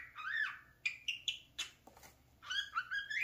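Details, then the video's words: Parakeet kept as a pet, fond of playing at its mirror, whistles and chatters in bright harmonic notes, some sliding upward, with a short gap of faint clicks midway. "Come here, mirror obsession the talking @parakeet"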